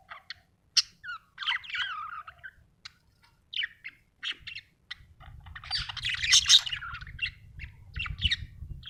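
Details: Budgerigar chirping happily: sharp clicks, squeaky curving whistles and chattering warbles, rising to a dense harsh scratchy burst midway, with a low rumbling hum in the second half.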